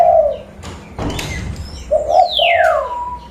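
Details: Local zebra dove used to attract other birds, Pidie, Aceh, Indonesia: a soft trilled coo, a clatter of handling noise, then a two-part bubbling coo while a long thin whistle slides steeply downward.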